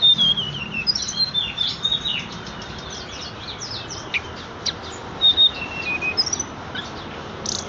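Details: Horsfield's bush lark (tledekan) sings a rapid medley of thin whistled slurs, clipped chirps and scratchy notes in quick bursts against faint background noise.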